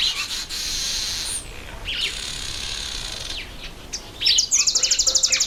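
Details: Breeding-season red bishop giving a long, high, hissing sizzle, several sharp slurred chips, then a fast, regular series of about a dozen loud buzzy pulses at the end.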